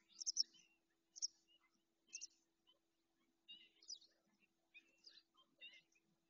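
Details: Common snipe in Doñana National Park, Spain: a series of short, harsh, high chirping notes repeated roughly once a second, with quiet background.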